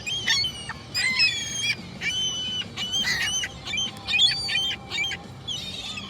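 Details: Gulls give loud, nasal, squealing cries in short bursts of two to four yelps, with brief pauses between the bursts; the calls are clear over a soft, steady background hiss.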